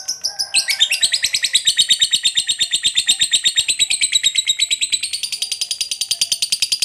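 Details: Lovebird singing a 'ngekek panjang' long trill, used as a lure to make other lovebirds active: dense high-pitched chattering, fast and even, sustained across nearly seven seconds and rising slightly in pitch near the close.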